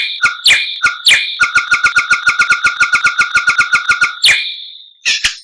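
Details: Masteran song of a White-rumped shama: a few loud ringing notes, then a rapid, even rattle of about twenty-five clipped chip notes, ending in a harsh burst and a scratchy note.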